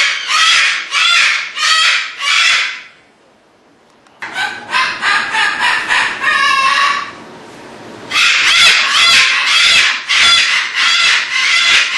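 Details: Displaying cockatoos give loud, harsh, raspy screeches in rhythmic bursts of about four calls. A short quiet gap comes before a noisier middle section and a final run of repeated screeches.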